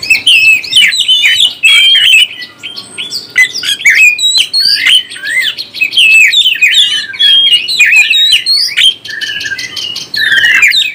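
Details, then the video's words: Captive oriental magpie-robin song used to excite other birds, a rapid medley of bright whistles, chirps and buzzy notes with short gaps between bursts. "NAIKAN EMOSI BURUNG KACER ANDA"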